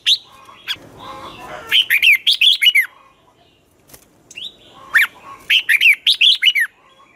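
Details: Red-whiskered bulbul song in the twisting style, used in singing contests and to teach young birds: two rapid runs of slurred, chirpy whistles, each about a second long, with a soft warble between them.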